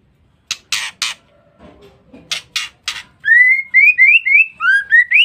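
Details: Female white-rumped shama used as a lure for males: scattered harsh raspy bursts open, followed by a steady run of short, rising whistled notes at about four per second.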